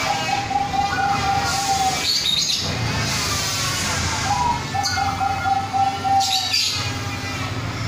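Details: Zebra doves, a local bird and a Bangkok bird, singing in duet: rapid staccato cooing trills in two bursts a few seconds apart, over steady broadband background noise.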